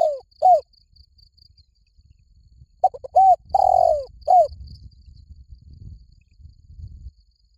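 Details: 'Liu tan' style song of a spotted dove, played to train a dove to call back. Two short coos open the clip. After a pause come stuttered notes, an arched coo, a longer falling coo and a final arched note, over a high insect whine.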